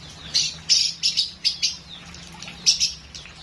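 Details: A lovebird repeats short, shrill high chirps in small clusters roughly every third of a second, with a brief pause before the last few.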